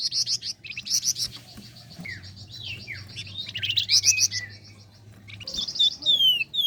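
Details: A flame-breasted flowerpecker, recorded as a training lure for songbirds, gives dense high chattering trills mixed with short downslurred whistles, ending in a run of thin descending whistles, over a low hum.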